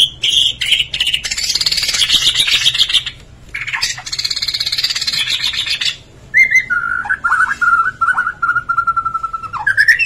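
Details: Borneo White-rumped shama in rich mimicry song, used as a lure for non-singing shamas: long buzzy, insect-like trills for six seconds, then a run of clear repeated whistled notes ending in a rising slur.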